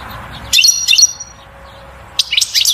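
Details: European goldfinch song meant to stir the female into mating and nest building, two bright bursts of rapid, high twittering notes separated by a quiet pause of about a second and a half.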